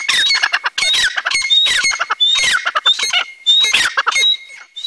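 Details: A pair of francolins (dakhni teetar) calling, free from cage: harsh grating squawks broken into quick clattering bursts about once a second, with a thin high whistle running through some phrases.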